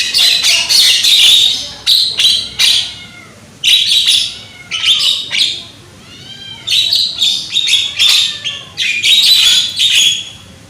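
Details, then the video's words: Loud song of a young Javan myna: dense bursts of harsh, scratchy chatter mixed with curved whistled slurs and squawks, delivered in uneven clusters with short gaps throughout. "JALAK KEBO MUDA SUARA KERAS"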